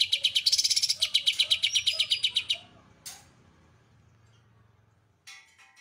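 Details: Singing greater green leafbird whose repertoire holds an Oriental white-eye's song: a rapid, rich chattering trill of about twenty high notes lasting over two seconds, one sharp note, a quiet pause, then a brief buzzy phrase, with low humming beneath.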